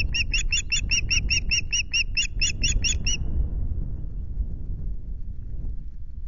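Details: Osprey at a nest in RSPB Loch Garten, Scotland, on 26 May, on a day ending with a fish delivery: a fast series of about a dozen high, whistled cheeping notes over three seconds, then fading low wind rumble.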